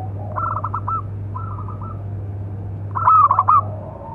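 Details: Local zebra dove calling song for training and provoking other doves: quieter pulsed coo phrases at first, then a loud rolling trill of quick coos, over a continuous low hum.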